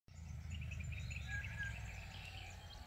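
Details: Rainbow bee-eater (Merops ornatus) at Coolac Cabins & Camping, Gundagai, New South Wales, Australia, on 22 October 2021: rapid runs of short chirpy, rolling notes in a steady chatter over a low rumbling background.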